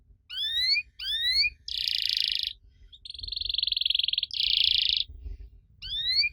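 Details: Canary song to tempt young canaries into answering: paired rising whistled slurs, then long dense buzzy rolls and a trilled tour, rising whistles returning at the end, over low background hum.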